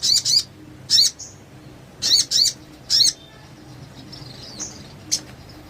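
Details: Sogon master recording to prompt reluctant birds to sing: several short, loud, high chattering bursts, some in close pairs, over about three seconds, then soft thin notes and a last brief chirp.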